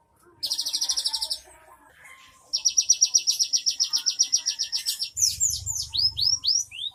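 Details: Cinereous tit performing its 'isian' filler song on 3 April 2023: a short high trill, a long pulsed trill of about twenty-five notes, then a series of sharp descending whistled sweeps.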